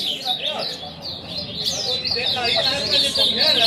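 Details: Several caged ultramarine grosbeaks sing together in a dense chorus of warbled, chirping phrases overlapping continuously, with a man speaking Portuguese over the birds.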